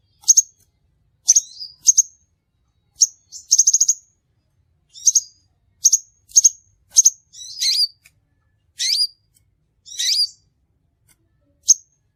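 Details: Lure recording of a crimson sunbird for trapping birds: a long series of piercing high chips, single, doubled and in a brief rapid rattle, later mixed with wavering, sweeping twitters.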